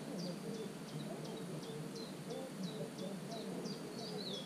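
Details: Common cuckoo chick in a marsh warbler nest, filmed on 27 June with a GoPro 5: thin high chirps, each dropping in pitch, repeated steadily about twice a second, with soft low rustling beneath.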